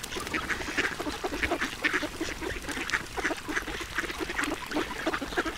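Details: Duck at feeding time, with steady rapid nasal quacks and chatter that come in quick bursts, loudest around the middle, over a constant low background rumble.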